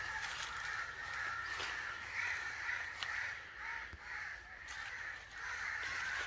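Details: Dense, overlapping cawing attributed to an angry crow, harsh calls running almost without a break, about two per second.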